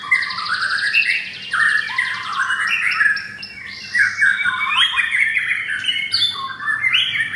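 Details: Caged white-rumped shamas, four offered together, singing a rich varied song of clear whistled phrases, rapid trills and a buzzy rattling passage near the start, phrases changing every second or so over a quiet background.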